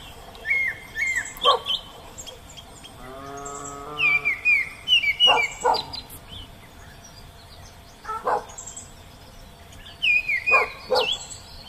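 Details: Oriental magpie-robin singing in the wild: short whistled, slurred phrases with quick up-and-down notes, given in bursts with pauses. A low, steady, harmonic droning sound also comes in briefly near the middle.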